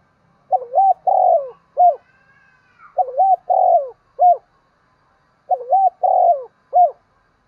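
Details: Morning calling of a decoy spotted dove used to lure wild birds: three evenly spaced phrases, each a low rolling double coo followed by a detached final coo, repeated about every two and a half seconds.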